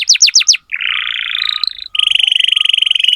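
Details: Canary song used to tutor young canaries: a few fast descending whistled notes, then a dry buzzy trill, then a long rapid rattling trill with bright high overtones.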